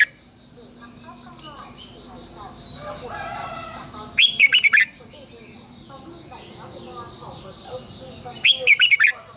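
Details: Red-whiskered bulbul in morning competition song, a long twisted double-voice style used as a decoy to train caged birds; two short bursts of four or five quick warbled notes about four seconds apart over a steady high whine and faint chatter.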